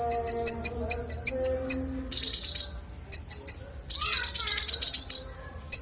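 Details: High, ringing song of a sunbird called kolibri ninja, used as master audio for songbirds: evenly spaced sharp ticking notes, then dense buzzy trills of rapid chirps, over a low background hum.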